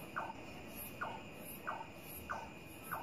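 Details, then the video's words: Nightjar heard clearly at night, a bird that stops calling once someone watches it: a quick series of short, dropping knock-like notes, roughly every 0.6 seconds, against a constant high-pitched insect drone. "suara burung cabak terdengar jelas di malam hari"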